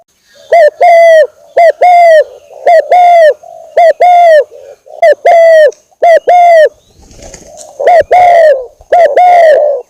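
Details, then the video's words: Spotted dove lure call, a vigorous, long-running recording: loud, slightly distorted coos in quick pairs and triplets, about one phrase per second, each note mid-pitched with a brief dip at the end. "suara pikat burung tekukur gacorr durasi panjang"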